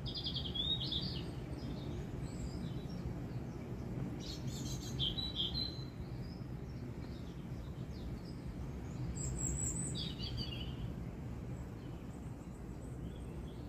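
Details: Robin singing in spring in a garden at Hidcote among anemone flowers: high, thin warbling phrases in short bursts with pauses between them, over a steady low rumble of background noise.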